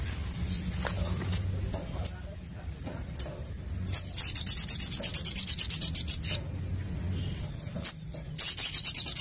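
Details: Sogon, the crimson sunbird, singing actively in the 'nembak' style: spaced high chips, then a long, rapid trill of very high notes of over two seconds, more chips, and a second trill burst at the end.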